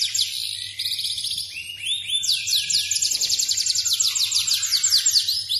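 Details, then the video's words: Lively song from an F2 Yorkshire canary: bursts of very fast high trills, a few lower slurred whistles, then a long sustained run of rapidly repeated sweeping notes, with low background hum. "Kenari F2 Yorkshire Gacor lagu istimewa"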